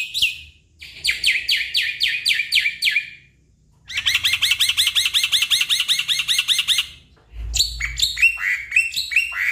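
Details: Black-winged myna song played to coax stressed, silent mynas into answering: loud, harsh chattering phrases of rapid repeated notes, with brief pauses between bursts.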